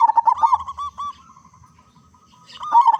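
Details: Zebra dove song meant as a lure for other zebra doves: a quick run of rolling coos, a short pause, then another burst of stuttering cooing at the end.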